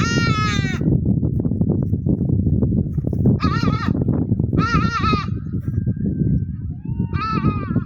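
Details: Hadada ibis repeating loud, coarse, honking calls, four bursts spaced a few seconds apart, against constant strong wind noise.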